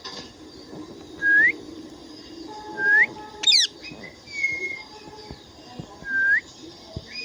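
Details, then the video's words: Indian ringneck parakeet giving a series of clear, upward-sweeping whistles roughly every one to two seconds, mixed with a brief buzzy chirp and a level drawn-out whistle, over faint background noise. "Indian ringneck parrot talking and making sounds"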